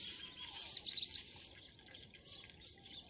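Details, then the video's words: Birds sing on a village morning in Pakistan: a bright run of sharp, high twitters opens the passage, then softer overlapping chirps continue against faint outdoor hiss. "morning sound of nature and birds"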